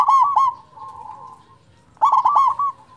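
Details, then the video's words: Zebra dove of local stock with a large voice, used as a master bird for silent doves: a loud stuttering coo phrase, a long soft purring trill, then another loud cooing phrase. "perkutut lokal suara besar cocok untuk pancingan perkutut malas bunyi"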